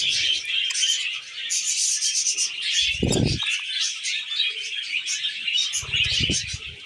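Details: Tamed pet budgies warble nonstop in high, scratchy chirps and trills, interrupted by a short low thump near the middle and a rumbling knock toward the end.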